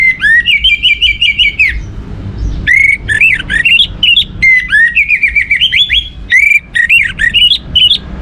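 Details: Orange-headed thrush song played as a lure to stimulate other birds to sing: loud, fast, varied whistled phrases with rapid trills, sharp upslurs and chattering notes, delivered in long bursts with brief pauses.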